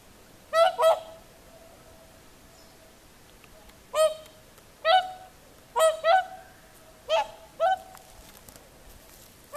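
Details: Whooper swans on the shore of Lake Saimaa, singing in the evening at sunset, give loud, bugling honks, often doubled, in about six bursts over ten seconds, with a quiet background.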